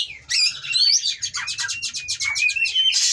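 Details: Captive Oriental magpie-robin in breeding condition, pouring out rough song to anger rival birds: a dense, buzzy trill of rapidly repeated notes over a thin sustained whistle, ending in a harsh rasp, low hum behind.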